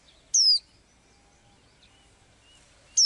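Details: A small bird with blue eyes, heard singing every day, gives one strong falling whistle, then a near-silent pause, and a second whistle about two and a half seconds later.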